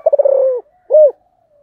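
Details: Close spotted dove calling in the 'thổ' voice, the end of a phrase: a rapid pulsing roll that stretches into a long descending coo, a brief gap, then a loud rounded final coo.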